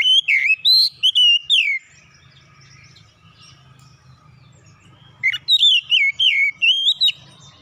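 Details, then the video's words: Oriental magpie-robin in gacor singing, offered as therapy for quick song: two loud bursts of clear, varied whistled phrases with swooping and rising notes, separated by a quiet pause with faint low hum. "terapi Kacer cepat keluar suara gacor"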